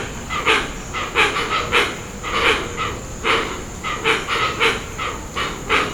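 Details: Hoatzin making strange, dinosaur-like growls: harsh, breathy rasping bursts in uneven runs of two or three, with a steady high-pitched whine in the background.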